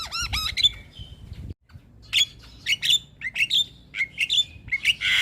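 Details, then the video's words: Javan myna (jalak kebo) singing to prompt a lazy bird; a rapid rising-falling warble opens, a brief silence, then a series of squeaky chattering notes and harsh bursts. "Burung Jalak Malas Bunyi Harus Rutin Di Beri Pancingan Kicauan Jalak Kebo Gacor Ini"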